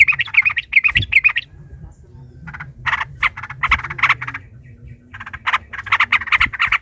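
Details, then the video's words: Yellow-vented bulbul, aroused and combative, in the long rapid ropel panjang style used as a singing lure: a fast burst of scratchy chatter, a pause, then more quick rasping notes building again. "trucukan ropel panjang TARUNG PANCINGAN TRUCUKAN agar bunyi"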